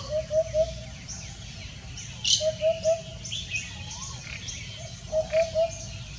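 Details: Common hoopoe calling on a heavily foggy Sunday morning, 31 January 2021: soft, low hollow hoots in quick triplets, repeated three times about every two and a half seconds, with one brief high chirp from another bird and faint background birdsong.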